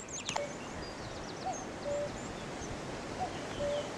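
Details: Common cuckoo singing from a tree on 3 May 2018, horses nearby. Two-note cu-ckoo, a short higher note and then a longer lower one. Three phrases about every 1.5 seconds over a rural hiss, with faint higher bird twitters.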